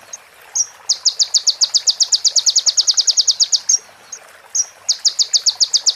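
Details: Konin sunbird training song: after a faint thin whistle, a long, rapid series of piercing high notes runs about three seconds, breaks for a slurred whistle, then starts again just as fast.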